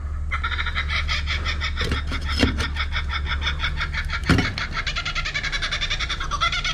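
Kookaburra cackling throughout in rapid, harsh, repeated laughing notes, over the steady low drone of running machinery.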